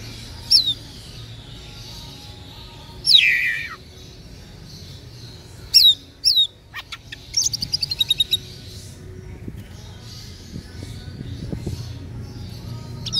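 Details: Caged green leafbird (cucak ijo) from East Java singing: spaced high whistled downslurs, one longer descending slurred phrase, then a rapid rattling series of clicking notes, over a steady low background hum.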